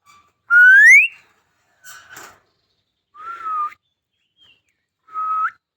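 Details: Talking myna bird giving a loud clear whistle that rises steeply, then a short noisy burst and two shorter level whistles that dip slightly and flick upward at the end, spaced about two seconds apart, in a quiet setting.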